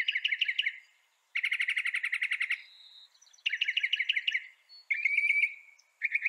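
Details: North American northern mockingbird song in separate bursts, each a rapid run of sharp, bright notes repeated many times, with brief pauses and a thin whistled note between bursts.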